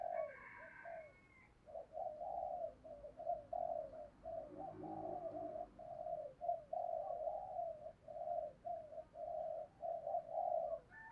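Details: Caged decoy dove cooing to lure and stir up wild birds: a long run of short, low, hollow coo notes repeated steadily over a faint background hiss.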